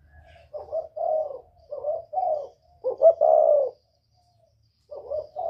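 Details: Spotted dove in northern Vietnamese 'kích bổi' style, 'giọng còi' voice: a phrase of short low coos climbing into a long loud drawn hoot, a pause, then the next phrase starting, over a faint low rumble.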